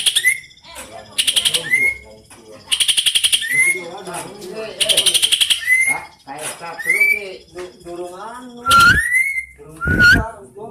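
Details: Tame contest-winning greater green leafbird delivering a long speed-roll song: repeated bursts of very fast high buzzy trills alternating with short upslurred whistles and twittering phrases, ending in loud sharp whistled notes.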